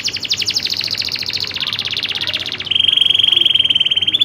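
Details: Rolling song of a local loper canary: a rapid descending trill, switching to a steady, high, evenly pulsed roll.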